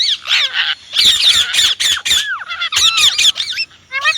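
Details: Indian ringneck parrot kept as a pet, uttering busy strings of shrill, scratchy squawks and swooping notes, with a few short pauses and a final rising call.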